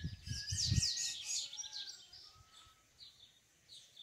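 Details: Yellow-bellied seedeater in the wild, a male singing for his mate and wanting to breed: quick high twittering notes with sharp downslurs early on, dropping to softer scattered chirps, low thumping noise at the start.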